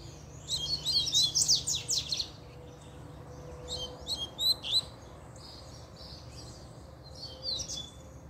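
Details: Double-collared seedeater singing excitedly after a female appeared; bursts of rapid, high buzzy sweeps and chirps, a dense jumbled phrase at the start followed by shorter scattered notes, over a faint low hum.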